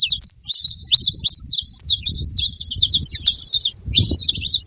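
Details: Multiple saffron finches chirping at once, a busy high chatter of quick squeaky notes and trills filling the whole recording, over soft low background noise.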